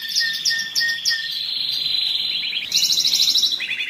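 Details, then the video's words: Singing canary meant to excite birds for breeding: repeated short chirps over a steady high whistle, then a bright rapid trill and a lower rolling trill. "تغريد الكناري للتسميع في مرحلة القلش و الراحة"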